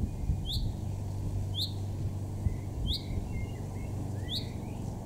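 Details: A male Common chaffinch in a garden in Weener, East Frisia, northwest Germany, in June 2024 gives a sharp, metallic 'pink' call about every second. Faint softer chirps from another bird sound over a steady low rumble.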